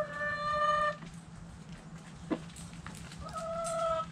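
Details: Backyard hens in the coop giving drawn-out harmonic calls: a sustained level note lasting about a second, a pause with faint knocks, then a second long flat call, over a low hum.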